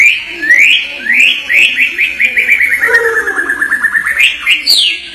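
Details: White-rumped shama (murai batu) singing in Indonesian songbird-hobby style: a run of clear whistled notes sweeping upward, flowing into a fast descending rattle-like trill, then bright high whistles to finish.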